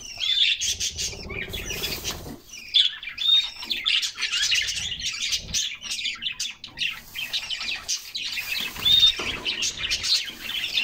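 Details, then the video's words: A group of canaries splashing in a summer bath: a brief quiet start with soft splashing, then busy high chirping and warbled song with several pure whistled notes running to the end. "Canaries Singing and Splashing in a Refreshing Bath"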